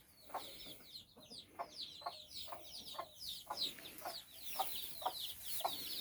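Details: Hen with her nine chicks out walking in Bizkaia, Basque Country; many high, downward-slurred chick peeps run throughout, with soft low clucks from the hen about twice a second.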